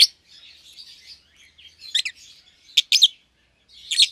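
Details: Euwing green opaline and red-eyed albino lovebirds, a young pair in a cage; soft murmuring twitter broken by a few sharp, piercing chirps.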